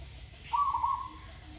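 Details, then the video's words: A single rolling, slightly buzzy coo phrase from a Zebra dove in training, about half a second long, over faint low hum. "นกเขาชวาฝึกต่อ เสียงเพราะๆ เดินกลอนดีๆ"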